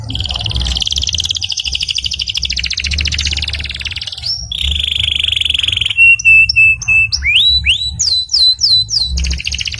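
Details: Canary singing as a master song: an extended buzzy rolling trill, a steady whistled tone, then sharp upslurred and downslurred whistles repeated rapidly; faint low hum beneath.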